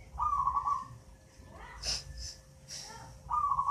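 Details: Young local zebra dove, eight months old, taken from a nest in a mango tree and already singing readily: two short, purring, trilled coo bursts separated by a pause with brief scattered noises.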